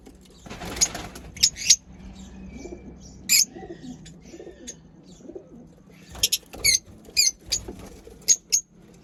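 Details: Lovebirds in a home setup giving sharp, high squeaky chirps, single and in pairs, scattered irregularly, with a short burst of rustling noise near the start and quiet room background between calls.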